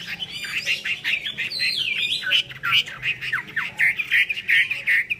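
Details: Chinese hwamei in a 'hót xòe' singing display with eagle-wing posturing: dense, fast whistled phrases mixed with harsher, grating notes and downward slurs, then short bursts of loud repeated notes, over a rough background murmur.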